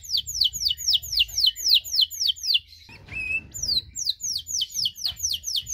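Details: Canary song used to provoke other canaries: fast series of downward-sweeping whistled notes, about four per second, broken at three seconds by a brief noisy burst and a short flat note before the rapid sweeps resume.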